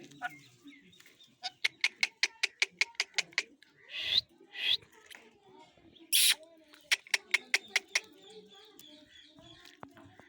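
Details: Angry pet Indian ringneck parakeet that bites. It makes rapid runs of sharp, evenly spaced clicks, broken by several harsh, grating screeches, with quiet background sounds.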